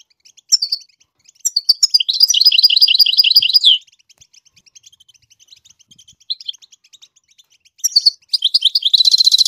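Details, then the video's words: Goldfinch singing to teach the chicks: a few high chirps lead into a long, fast, rhythmic trill, a quiet gap with soft ticking notes, then more chirps and a dense buzzy twitter at the end. "the goldfinch sings to teach the chicks to song chirp"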